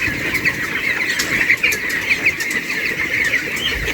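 Many broiler chicks chirping together, a dense chorus of short high peeps overlapping without pause, over a steady background hiss.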